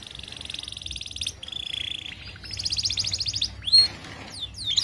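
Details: Canary 'paud' song for mastering young canaries housed together so they sing sooner: fast buzzy trills in steady bursts, a sudden drop to a lower rattle, another high trill, then sharp slurred chip notes.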